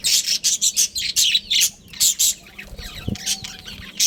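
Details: Breeding pair of budgerigars in a family colony, giving rapid bursts of high, scratchy chirps and chatter in quick succession, with a faint low hum beneath.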